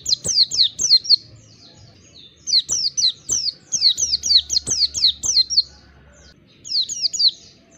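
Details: Oriental white-eye, kept bird, used to prompt a bird to sing with open beak; bursts of high, thin, downslurred chirps in quick runs of four to eight, pausing between groups.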